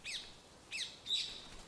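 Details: Rose-ringed parakeet from a feral colony in the canopy of Père Lachaise Cemetery, Paris, France: three harsh, high, grating, downward-sweeping screeches spaced under a second apart over a faint outdoor hush.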